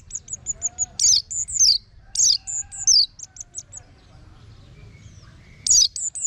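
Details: Ngeplong-style song of the orange-headed thrush, played as a lure for birds kept at home: strings of thin, very high repeated notes broken by rasping downward-slurred phrases, with a low rumble of background noise.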